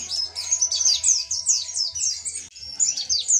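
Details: Mountain white-eye singing, recorded to tutor other birds: quick, sweet, high downslurred notes strung together in a lively, continuous phrase, with a faint low hum beneath.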